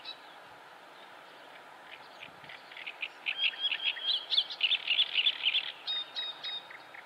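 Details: Wild mallard with ducklings at Salaspils on 19 May 2017: after a quiet start, a dense run of high, thin peeps, about four per second, rising in loudness through the middle, with a steady background hum.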